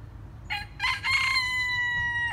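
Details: Chickens crowing while perched up in a tree in a village: one rooster's harmonic crow opens with rough broken syllables, then stretches into a long steady drawn-out final note lasting over a second, over a low constant hum.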